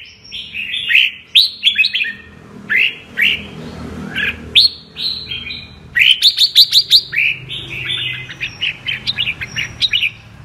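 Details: Red-whiskered bulbul singing in a 'double voice' style: dense bursts of bright, warbling and chattering phrases, rising and falling quickly, with short rapid trills near the middle and end, over a faint low background hum.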